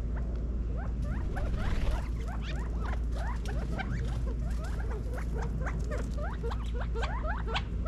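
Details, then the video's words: California quail feeding in a backyard in Las Vegas, Nevada, in fall 2022: many soft, short upward-flicking peeps and clucks from several birds in a continuous scattered chatter, over steady low background rumble. "California Quail Feeding in Las Vegas NEVADA FALL 2022 quail sounds"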